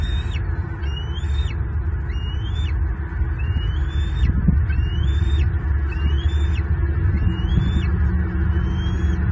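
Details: Bald eagle at its nest in the morning after a whole large fish is dropped off: a run of thin squealing notes that climb then drop abruptly, spaced roughly a second apart, against steady low-pitched background roar.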